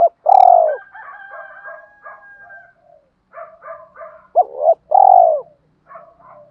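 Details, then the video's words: Spotted dove coos from male and female birds, used to stimulate caged doves in training. Loud falling coos and a double note mix with several overlapping softer calls and murmurs in the background. "tiếng chim cu gáy luyện bổi và mồi gáy"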